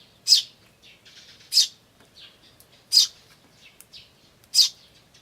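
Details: Eurasian tree sparrows, adults and chicks, recorded 10 May 2013 on an ivis camcorder; chicks give 'chi chi' notes, adults 'jyujyu' and 'chun'. Four loud high chirps about 1.3 seconds apart, with softer notes between.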